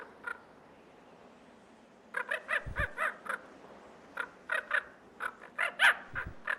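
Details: A Common Raven of a mated pair in Yellowstone's Lamar River Valley in early April, with snow on the ground, gives harsh, hoarse croaks in quick bursts. These are alarm calls defending its territory against a great horned owl, with a faint low thump between them.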